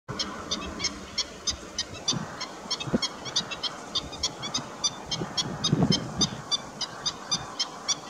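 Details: Black-winged stilt (Himantopus himantopus) giving sharp, yelping kek notes about three times a second in a steady, nagging series, over a low rumble of background noise.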